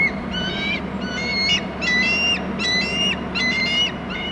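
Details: Young wild bald eagle calling at its nest on Hornby Island as the father flies in with food: five bursts of thin, squeaky, high chittering notes, each burst under a second long, with about one burst every 0.8 seconds, over steady background hiss.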